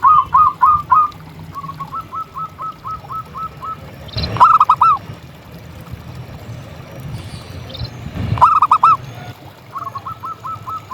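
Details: Singing local zebra dove, used to rouse silent or stressed doves: long strings of soft, even, clipped coos, with two short loud ringing bursts of rapid hooked notes between them, over low background hiss.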